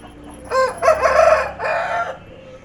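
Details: A rooster on a bike crows once, a hoarse cock-a-doodle-doo in three parts with a long, wavering middle note and a falling end.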